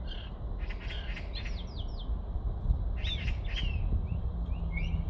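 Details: Common blackbird singing unseen, hidden somewhere in Olympic Park: varied clear whistled phrases with downward slurs, broken by short pauses and ending in thinner, higher notes, over a steady low background rumble.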